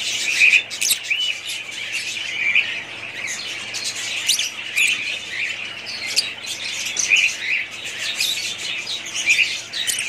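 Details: Several budgerigars in a family group squawk and chatter nonstop, their scratchy warbling broken by short, clear, whistled chirps that recur every second or two over the dense background of calls.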